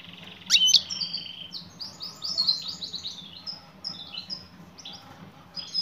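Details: Female European goldfinch calling to attract a male, giving a sharp high note followed by a stream of quick twittering, slurred chirps and brief buzzy phrases.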